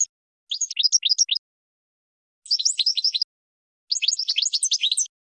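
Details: European goldfinch training song for teaching birds: three short bursts of fast twittering chirps, each about a second long, with brief silences between them.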